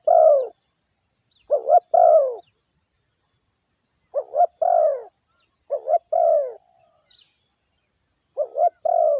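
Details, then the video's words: Spotted dove lure call for exciting decoys, a soft throaty 'coo-coo, cooo' with the final note sliding downward, phrases spaced about two seconds apart over silence. "Tiếng chim gáy gù gọi mồi cực chuẩn"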